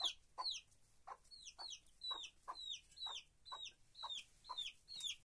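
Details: Henhouse chickens: clear, high downslurred peeps, each with a lower, softer element beneath it, repeated roughly every half second in a steady, slightly uneven series.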